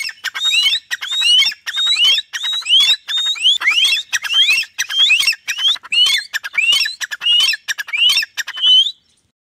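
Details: Desi partridge, trained and kept by its owner, perched under a tree answering a whistle: a rapid, regular chain of clicks and upward-sweeping whistles about every half second, ending abruptly in silence.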